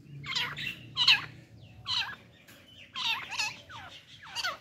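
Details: Partridge pair, male and female, with a hunting decoy female in an excited mood: repeated short, looping, nasal call notes in irregular bursts over steady background noise.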